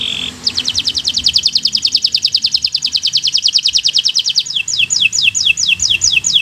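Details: A bottle-green local canary sings to tutor young learning birds: a brief whistle, then a long fast trill of high clicks lasting about four seconds, turning into repeated downward-sweeping notes; faint background noise.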